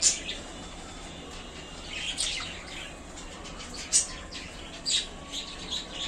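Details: In a small new cage, contented budgies chatter with sharp high chirps and thin squeaks, loud spikes at irregular moments among softer twittering, with steady low hiss beneath.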